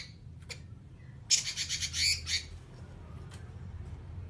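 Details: Oriental magpie-robin in 'nyerecet' style: one burst of about a second of harsh, scratchy, rapidly pulsed notes, a few faint isolated ticks around it, over low background hum.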